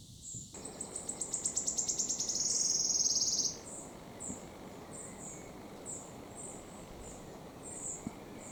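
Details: Wood Warbler song recorded in June 2024 at Gilfach Nature Reserve, Wales: accelerating high ticks merging into a shimmering trill for about three seconds, followed by scattered faint high chirps over steady background noise.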